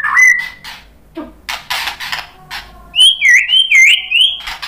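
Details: White-rumped shama song used as a lure to provoke a response: harsh buzzy bursts early, then a run of bright looping whistled notes near the end, rising and falling in quick succession.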